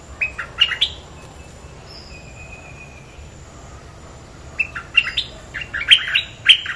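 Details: Bulbul lure recording: clusters of quick, warbling chirps at the start and again near the end, with a faint thin whistle between, all set against a continuous shrill insect hum.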